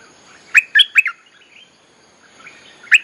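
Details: A bulbul in a recording used to teach young birds and to call in wild birds gives a quick burst of four bright, bubbling notes, falls quiet, then gives one more liquid note over a faint hiss.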